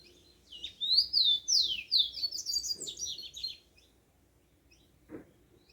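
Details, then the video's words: Yellow-bellied seedeater singing at dawn in the wild: a bright, fast series of high sweeping whistles and chirps lasting about three seconds, then quiet with a soft low thump. "Canto do papacapim na natureza"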